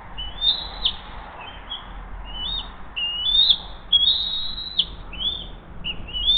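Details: Bald eagles at the Hays nest, morning of 20 June 2023, the mother delivering a second fish and feeding the eaglet: rapid, uneven series of high whistled chitters, some short and some drawn out, rising and falling over a low hum.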